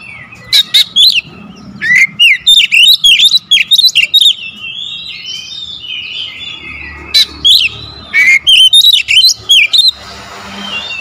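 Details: Magpie-robin singing a lure song in the tight rapid-fire 'tembakan rapat' style: loud bursts of sharp whistled notes and chirps, varied and jumping in pitch, with short silent gaps and a quieter pause midway.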